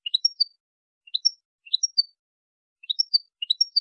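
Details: European goldfinch teaching song: short three-note phrases, each a rising chirp then two clear high whistled notes, repeated about five times with pauses between.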